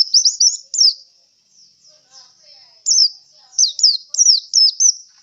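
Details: Oriental white-eye (pleci) singing while tired after performing at a singing contest; high, quick twittering phrases in bursts, with short pauses between groups of notes.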